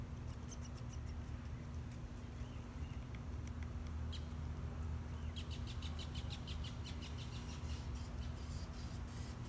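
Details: Downy woodpecker, thought to be an adult son begging food from his mother at dinner: thin, high, rapid chips in short bursts, over a steady low rumble of distant traffic.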